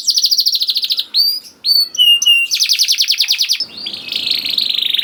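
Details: Lure song of a canary for young canaries: quick repeated trill, a few pure whistled slurs, another rapid rattle, then a dense buzzy trill running to the end.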